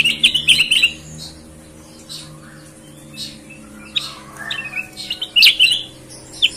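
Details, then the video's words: Sooty-headed bulbul in full song, its voice called clear and leafbird-like, opens with a rapid chattering warble of high notes, then quieter scattered chirps, and ends with another bright burst. A low steady hum runs beneath. "Kutilang gacor suara bening,mirip cucak ijo!"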